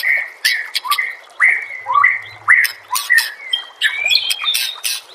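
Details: White-rumped shama master song for training other birds: repeated whistled notes with downward slurs and harsh squawky bursts, phrases coming roughly twice a second in a lively, uneven sequence.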